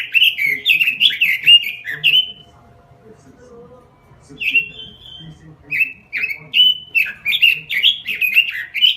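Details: Robin singing in lively gacor form: bursts of quick, bright whistled notes that slur downward, in a run of about two seconds, then a pause, then another long energetic string of ringing phrases.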